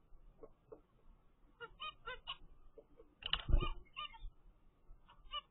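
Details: Captive-bred zebra finch (Taeniopygia guttata) chick from a first clutch, 15 days old, giving short, nasal, buzzy calls in scattered bursts, a few quick ones together; a dull thump of handling noise near the middle.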